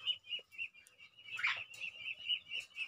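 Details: Pet crested myna during taming, giving a run of short, high chirps repeated about every quarter second, with one louder, harsher burst in the middle and a faint low hum underneath.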